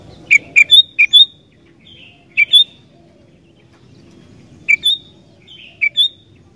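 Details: Sooty-headed bulbul singing vigorously, a recording meant to get wild bulbuls singing: short bubbly whistled phrases of two to four notes, sometimes rising, come in bursts separated by pauses of one to two seconds over a faint low hum.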